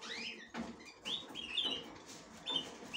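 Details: Female budgerigar checking the nest for the first time, trying to enter it; short rising chirps and whistled notes near the upper range, scattered irregularly over a few seconds, with light rustling between calls.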